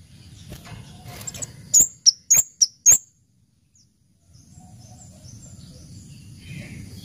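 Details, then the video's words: Orange-headed thrush in cabe-cabean song, delivering one tight burst of four sharp, very high chirps, followed by quiet low rustling background noise. "Suara Merdu Burung Kemade Cabe Cabean Gacor"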